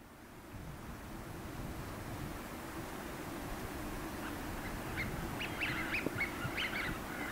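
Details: Eurasian wigeon males on the Seno River, Hiroshima, Japan, on 17 March 2018 before spring migration give short, sharp, rising whistles with wingtips raised toward a female, possibly courtship display or threat to rival males, over a low rumble of wind or water.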